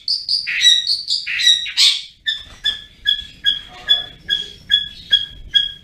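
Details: Long-tailed shrike singing in lively ngriwik style: a few varied whistled and rasping notes, then a steady series of clipped two-part notes repeated a little faster than once a second.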